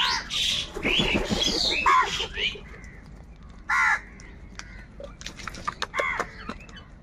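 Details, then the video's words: Crows fighting over food, calling loudly: a run of harsh, grating caws crowded together over the first two seconds, then a single rough caw near the four-second mark, with scattered clicks and faint background chatter. "Crow bird Fight for Food | Crow birds loudly Crowing sounds"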